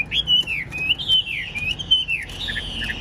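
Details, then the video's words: Tame caged Chinese hwamei with a fanned tail, kept in Vietnam, singing nonstop: long slurred whistles that rise and fall in sweeping arcs, linked into a flowing phrase of several loops with no break. "Đuôi xòe hót không bỏ mỏ, chất giọng cực hay"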